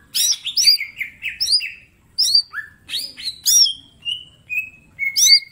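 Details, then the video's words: Green leafbird, mini form, in full gacor song for training other birds: quick chattered phrase of curled chirps, a brief gap, then rising whistles and sustained flat whistled tones between high hooks. "Cucak ijo mini gacor full tembakan bongkar materi"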